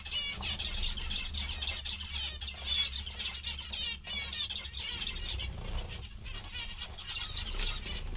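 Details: Several zebra finches, said to be cheerful and content today, chatter constantly with quick, bright, stacked chirps in rapid overlapping bursts, set against a continuous low background rumble.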